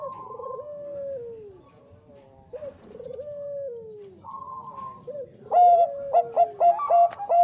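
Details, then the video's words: Bangkok-type zebra dove in full, lively song, used as a lure: drawn-out descending coos with wavering trills overlap from more than one bird, then a burst of sharp staccato notes near the end. "SUARA PERKUTUT BANGKOK GACOR AMPUH UNTUK PANCINGAN"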